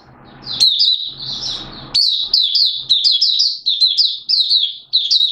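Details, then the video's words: Malaysian oriental white-eye singing in Singapore, warm and humid with sudden showers, March 2023; lively high twittering of fast down-slurred notes, continuous after an opening burst, with some low noise early on. "Malaysian Mata Puteh Buka Sing"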